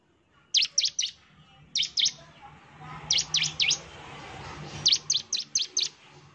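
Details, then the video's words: Bar-winged prinia singing vigorously, played as a lure to provoke another prinia into an agitated reply: bursts of three to four sharp, high, downslurred chirps, separated by short pauses, over faint low background hum. "suara pancingan ciblek gacor, NEMBAK terus ciblek pasti NYAUT emosi dan gacor"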